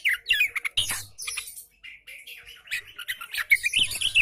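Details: Oriental magpie-robin in relaxed, steady song meant to stimulate lazy magpie-robins into singing; a dense, almost continuous stream of quick chirps, twitters and whistled notes with scratchy bursts mixed in.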